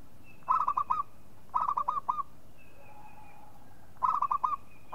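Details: Local zebra dove giving lure calls: three bursts of fast staccato cooing notes, about a second and a half to two seconds apart, with faint high thin whistled tones in the background.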